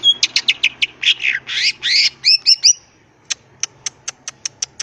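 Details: Wild greater green leafbird singing to provoke other birds to respond: rapid sharp notes and harsh buzzy phrases, followed by evenly spaced high ticks.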